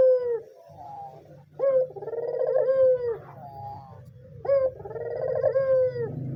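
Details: Energetic white dove cooing, a lure for doves that are slow to call: long fluttering coos with short rising openers, repeated about every 2.7 seconds, over a steady low hum.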